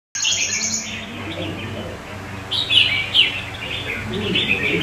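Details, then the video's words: Kept red-whiskered bulbul singing well among other bulbuls nearby: short bright chirpy warbled phrases, then a burst of loud rising and falling notes, over a steady low background hum. "Chào mào Mào Lân Chơi tốt với các CB xung quanh khác"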